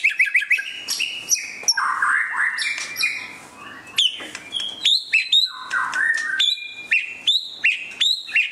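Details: White-rumped shama singing during display: a rich, varied, continuous run of clear high whistles, fast chattering bursts and sharp rising notes, phrases changing every second or so with barely a pause.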